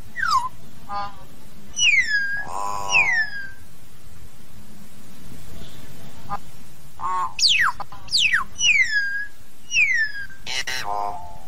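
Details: Common hill myna calling to its flock, alternating crisp downslurred whistles with harsh, honking squawks in irregular bursts, about fifty notes a minute, against a steady low background rumble.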